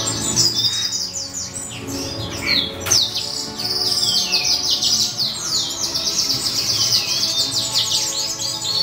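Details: Hand-reared C. frontalis chick; busy, high-pitched twittering chirps repeat almost nonstop, with one sharp click near the middle and a faint hum below.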